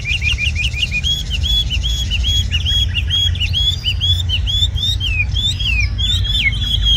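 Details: Red-whiskered bulbul, a tame bird described as an excellent singer, gives rapid repeated hooked whistles, later quickening into a tumbling sequence of slurred notes, with low hum in the background.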